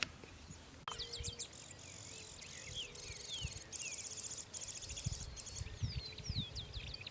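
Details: Grassland Yellow-Finch of the Argentine littoral, a seed-eating bird of grasslands, savannas and rural areas that nests on the ground, sings a fast, high jumble of buzzy trills and slurred, sweeping whistles over a low rumble of wind or background noise.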